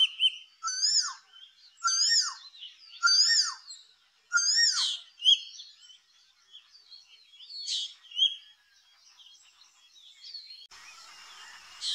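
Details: Asian Koel repeating a loud whistled note with a rising and falling shape roughly every second, overlapped by high chirping birds, then fading into a busy high hiss of insects or birds at the end.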